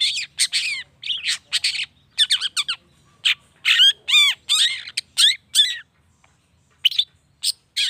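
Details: Lure song of a long-tailed shrike (cendet), used to stir other shrikes to answer: clusters of scratchy chatters and swooping whistles, pausing briefly before further bursts of varied notes.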